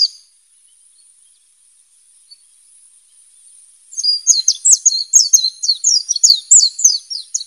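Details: White-eye in the wild: after near silence, a quick run of very high, thin twittering notes, jumbled slurred chips tumbling for several seconds, over a constant high-pitched whine.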